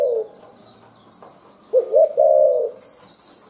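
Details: Spotted dove, a wild-caught bird, giving one full coo phrase of quick, low, throaty notes ending in a drawn-out hoarse note, delivered with dense 'lèo' and sparse 'chu'. Small birds twitter high in the background.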